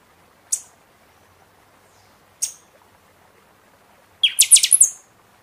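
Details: In-season song of a Buffy-fronted seedeater, played for caged birds coming out of moult: two lone high chips about two seconds apart, followed by a quick metallic run of bright strokes ending in a drawn-out whistle.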